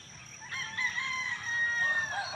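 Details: Neighbours' rooster crowing, heard among mixed bird sounds: one long harmonic crow rising then holding steady for about two seconds, with other birds chirping in the background.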